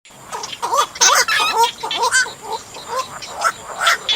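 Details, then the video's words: Black-crowned night heron calls of the kind played to lure birds into nets: harsh, croaking notes with strong harmonics, uttered in an uneven run of short barks with a faint steady background tone. "Tiếng Vạc Lao Lưới Giăng"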